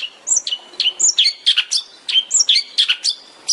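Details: Long-tailed shrike, tembakan style, recorded as a master for training songbirds. Varied short whistled and chattering notes, high and jumping in pitch, come about every quarter second in a lively, uneven stream.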